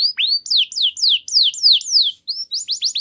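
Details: Canary song used to prompt other canaries to sing: clear, high descending whistled sweeps repeated rapidly, opening with rising slurs, a brief pause near the end before more quick downslurred notes.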